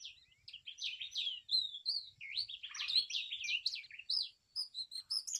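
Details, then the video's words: Brown rock chat delivering a continuous, busy run of high warbled and chirped phrases with swooping slurred notes and brief pauses, with faint low background noise underneath. "Brown Rock Chat Call Brown Rock Chat Song , Sounds Brown Rock Chat Voice"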